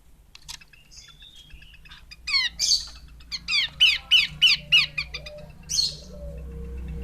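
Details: Female Horsfield's babbler delivering a run of about eight evenly spaced, grating notes, each a buzzy downward-sweeping rasp. A low hum sits underneath, with a soft gliding whistle at the end.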